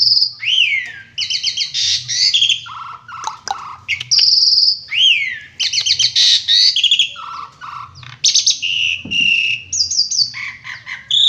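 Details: Jalak suren, the Asian pied starling, pouring out a continuous gacor song of isian and tembakan phrases: long high whistles, upward slurs, dense buzzy rattles and short lower chuckling notes, barely pausing.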